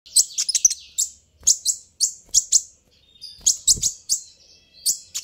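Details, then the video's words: Sunbird call, known locally as kolibri ninja, played to make the bird answer and provoke it: loud, sharp, very high chirps in quick bursts of two to four, separated by short pauses, on a quiet background. "suara ini bisa bikin Kolibri ninja naik pitam"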